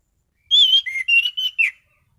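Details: Caged orange-headed thrush (anis cendana) singing steadily in the gacor mapan style, with sharp shots. One short burst of clear whistled notes, high then dipping lower, then several level whistles and a final slurred note. Quiet background.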